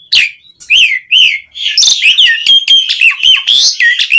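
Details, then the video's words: Asian pied starling in full song, meant to set other starlings singing: loud rising and falling whistles run together with harsh chattering and buzzy phrases in a continuous stream. "Suara Kicau Jalak Suren Gacor Terapi Pancingan Burung Jalak Agar cepat Gacor"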